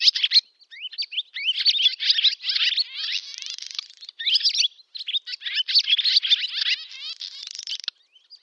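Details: Barn swallow summer song, Novgorod oblast, Russia, August 2013: bright twittering phrases with sweeping squeaky notes and dry buzzy rattles, sung in long runs with short gaps.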